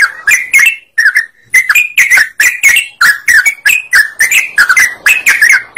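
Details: An energetic sooty-headed bulbul sings repeated bubbly phrases of slurred, warbled notes, with a short gap after the first phrases, then a dense run. The song is played to lure other birds into singing along.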